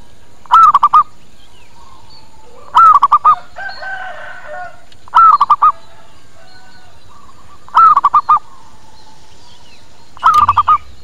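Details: Zebra dove calling as a lure to attract local birds and prompt answers; five phrases, each a drawn-out coo then a quick stutter of short notes, spaced roughly every two and a half seconds, with a soft distant call between.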